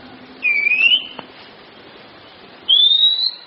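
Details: Oriental magpie-robin (kacer) song from a training recording for kept songbirds: two clear whistled notes, each rising slightly and lasting about half a second, the second higher, with a two-second gap between them.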